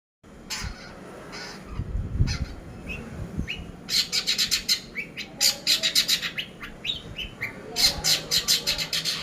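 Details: Long-tailed shrike, pastol-style cendet lure recording for training: a quiet start, then dense bursts of sharp, high chirps and trills that grow louder and more rapid from about four seconds, with soft low rumbling beneath.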